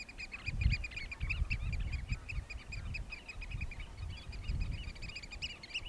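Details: Courtship piping of Eurasian oystercatchers, Hoorn, Terschelling, 2015: several birds pour out dense, rapid, high piercing pips that overlap into an excited chorus, with strong low wind rumble beneath.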